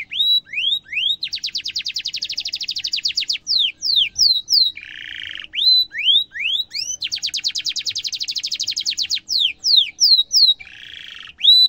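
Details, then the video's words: Canary song for tutoring young canaries: rising whistles, long dense high trills, buzzy sustained rolls and falling notes, repeated in two similar phrases. "kenari gacor cuit cuit ngerol tajam suara kesukaan semua kenari efektif buat masteran kenari muda"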